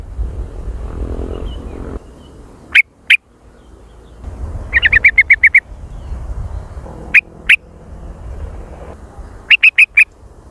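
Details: Sooty-headed bulbul lure recording with lively jontrot calling: scattered single sharp notes and a short fast rattle of about seven clipped notes, separated by quiet gaps with faint low background noise.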